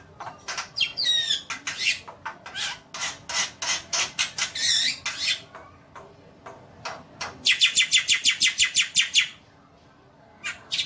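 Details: Black-winged starling tutor song played non-stop: bursts of harsh chattering and dry rattles, then a fast run of about fifteen sharp, evenly spaced notes, with short pauses between phrases.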